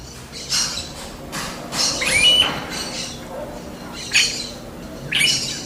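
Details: Smooth-billed ani in the wild giving a series of rough, high squawks, some with a thin rising whistled edge, spaced roughly a second apart against quiet background.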